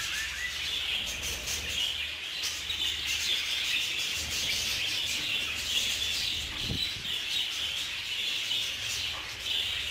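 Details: Budgerigars fighting while kept together in an aviary; unbroken high-pitched twittering from a crowd of birds, with one short low knock partway through.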